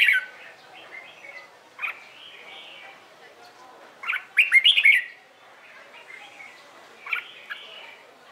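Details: Morning competition singing from a Red-whiskered bulbul, played to coax newly caught birds into singing: three loud warbled, slurred phrases separated by pauses of about two seconds, with soft chattering in between.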